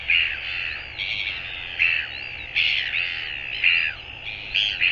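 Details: Northern royal albatross calling, 24 January 2022: a string of loud, rasping, nasal squeals with sliding pitch, about six bursts in five seconds, over a low steady hum.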